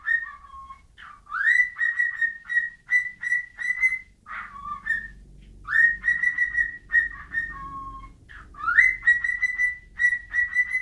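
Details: Bird giving rising, then level whistled phrases, each note clear and tonal, with occasional lower sliding notes; gaps between bursts and a soft low rumble in the background.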